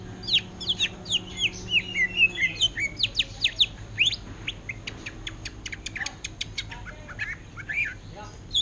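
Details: Greater green leafbird kept in a cage, for sale, performing song in the style of an orange-headed thrush: varied whistled slurs followed by a quick series of sharp ticking notes, about two per second or faster.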